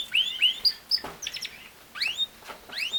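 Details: Canary giving scattered bright chirps, each a quick rising or falling whistle, about four per second at an uneven spacing, with short quiet gaps between them.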